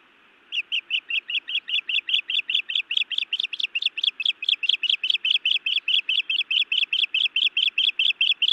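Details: Osprey female berating her mate on the nest, Montana, evening of 31 May 2017, before biting him: after a brief pause, an unbroken stream of shrill chirps, roughly two to three per second, growing slightly louder.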